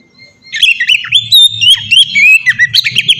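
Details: White-rumped shama song, played as a lure to get other shamas singing: a rich run of whistled, warbling notes sliding up and down, delivered rapidly over a faint low hum.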